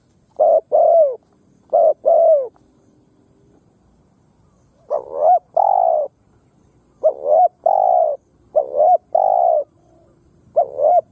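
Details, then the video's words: Ground-lure spotted dove used to incite wild doves to fight, giving clipped double coos followed by long level coos, one phrase, a pause of over two seconds, then a run of quick phrases. "Tiếng Chim Cu Gáy mồi đất gáy kích bổi"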